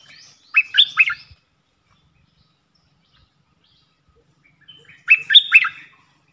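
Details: Red-whiskered bulbul, a caged decoy bird for luring, sings two short chattering-warbled bursts about four seconds apart, each of a few rich, bubbling notes.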